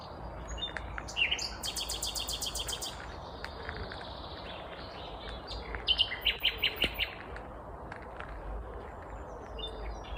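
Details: Common Nightingale, a vagrant in Kvarnbo outside Uppsala, Sweden, singing heartily one May morning in 2021: a fast rattling burst of rapid notes, a pause with faint calls, then another quick series of sharp, evenly spaced notes.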